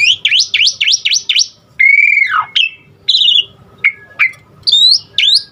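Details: Asian pied starling singing a varied fill-in song to set other starlings singing: five rapid V-shaped whistles, a long descending whistle, then scattered short clear whistled notes.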